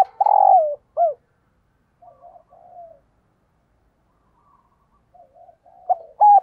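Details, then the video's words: Spotted dove used as a decoy, calling to attract wild doves; a long falling coo and a short drop open the clip, soft murmured notes follow, then a fresh phrase begins with crisp doubled hoots. "Tiếng Chim Cu Mồi gáy Mồi Gáy Gọi/ Bổi Nghe Siêng Gáy Và Nhanh Nổi"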